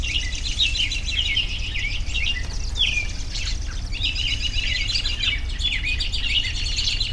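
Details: A chorus of high chirps and short trills, with a clear sliding note near the middle, over steady low background noise.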